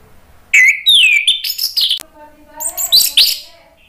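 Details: Orange-headed thrush, a caged bird in Indonesia, in full ngeplong song to prompt other birds to sing: rich fluty whistles sliding and warbling, phrases broken by brief sharp notes, with faint low sounds in the background.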